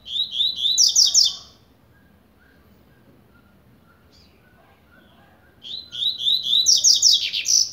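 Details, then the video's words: Double-collared seedeater singing in the blade style while warming up: two bursts of rapid, piercing, high trilled and buzzy notes separated by a quiet gap of about four seconds. "COLEIRO BLADE COMEÇANDO ESQUENTAR"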